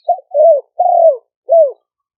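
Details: Captive decoy Spotted dove from a camp in Roi Et, Thailand, recorded in 2023 for attracting wild doves; a brief clipped note followed by three longer, smoothly falling coos in clean, quiet surroundings.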